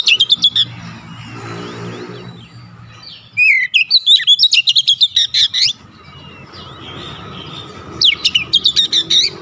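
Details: Oriental magpie-robin song in three energetic bursts of quick, high, clipped notes and slurred whistles, with a low droning hum between phrases.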